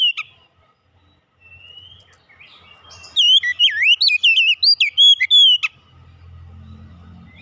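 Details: Oriental magpie-robin song meant to prompt a silent bird back into singing: a soft rising whistle, then a burst of loud, rapid, twisting whistled notes over roughly two and a half seconds before quiet low hum.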